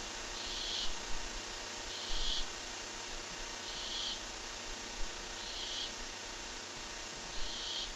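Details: Quiet, regular high hisses from a Barn owl on a nest camera, about five breathy half-second bursts spaced over a second apart, heard beneath steady low rumble and faint knocks.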